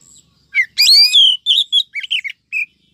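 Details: Calling female oriental magpie-robin, a 2023 lure for males and wild birds, delivers a loud slurred whistle followed by a string of short chirped and trilled notes falling in pitch.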